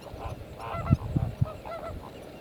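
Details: Lesser flamingos at Thol Lake give short, nasal, goose-like honks, several overlapping in quick succession over a low rumble of background noise.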